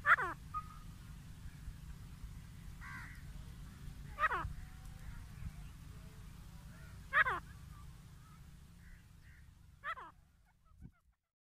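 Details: Grey francolin pair giving loud, sharply falling ringing calls about every three seconds, with softer shorter notes in between, against a continuous low background hum.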